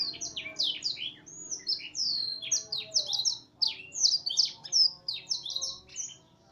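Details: Vigorous F1 canary singing imitated black-throated canary phrases: clusters of piercing high chirps and descending whistles, rising and falling in loud bursts, almost without pause.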